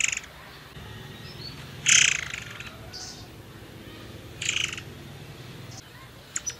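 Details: Forktail sound used as a lure for other birds: two loud, rough, buzzy bursts a couple of seconds apart, with softer rasping notes between and a couple of sharp clicks at the end.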